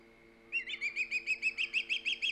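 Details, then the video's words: Loud calling from an osprey at its Hog Island nest, live cam, 3 September 2019: after a pause, a steady series of shrill, slightly rising whistled chirps, roughly six per second, over a background hum. "Halley, loud and proud! Hog Island Ospreys"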